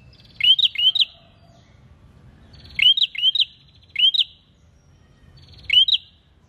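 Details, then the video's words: A prinia sings loud, sharp, rising chirps in quick bursts of two to four, each burst a couple of seconds apart, over a faint low rumble. "PRENJAK GACOR"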